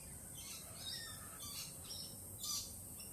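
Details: Lorikeets, nervous after a Peregrine Falcon attack earlier in the week, give several scratchy screeches and short chirps, ending with one sharper, louder squawk, over steady background noise.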